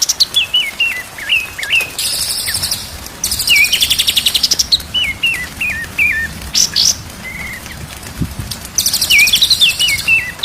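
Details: White-rumped shama song used as a day-and-night training track to make birds sing. Zigzag whistled phrases repeat several times, alternating with loud bursts of rapid, buzzy chattering and brief pauses.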